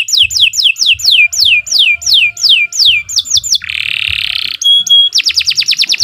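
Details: Canary song used as a master for young birds: about ten evenly spaced falling whistled slurs, a buzzy rasp, a steady pure tone, then a fast trill.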